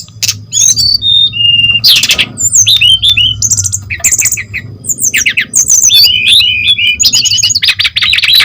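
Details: Brown-chested jungle flycatcher song used as a lure to prompt other birds of its kind to sing: rapid, varied phrases of sharp whistles, slurred high notes and chattering bursts, with a low steady hum underneath.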